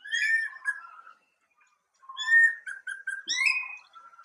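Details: Greater racket-tailed drongo, an Asian bird that forages with babblers and mimics other birds: varied whistled phrases, rising and falling notes with short buzzy elements, a pause of about a second midway.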